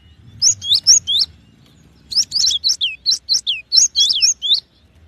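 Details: Cinereous tit repeating sweet, high two-note whistles, about four per second, first in a short run and then in a longer phrase after a pause.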